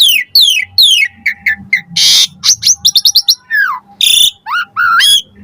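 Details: Asian pied starling song used as a lure to draw replies from other starlings, full of varied fill-in phrases: repeated descending whistles, harsh buzzy bursts, quick chattering note series and a slurred downward whistle, over a faint low hum.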